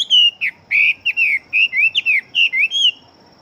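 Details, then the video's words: Loud song of a big-bodied fighting Chinese hwamei, noted for very quick delivery. Rapid whistled phrases, each a short falling slur, follow one another closely before ending abruptly. "Họa Mi Chiến Siêu Mau Mỏ Bộ To Hót Tốt"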